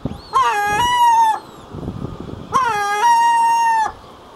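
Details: Herring gull in the breeding colony giving two long, drawn-out wailing calls about two seconds apart, each with a brief rising start before holding a steady, even pitch.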